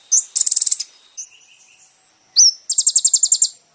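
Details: Masteran recording of kolibri ninja song for tutoring caged birds. A high buzzy trill, a thin sustained whistle, an upslurred chip, then a rapid run of about ten bright repeated notes.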